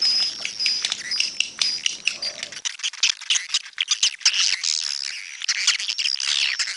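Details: Swiftlets give dense, overlapping high chirps and twittering squeaks, rapid and continuous, with sharp clicking pulses throughout.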